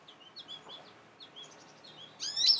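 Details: Young goldfinch perched on a bird feeder, calling out to other finches nearby: a run of thin, high chirping notes, then a louder burst of sharp twittering at the end.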